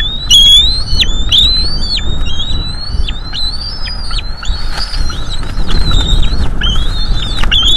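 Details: Two bald eagle eaglets, a female and a male judged by size, at the nest before fledging, 5–6 May 2022, on a sensitive live-feed microphone: loud repeated high upslurred whistled calls in a steady series, over low rumbling wind noise.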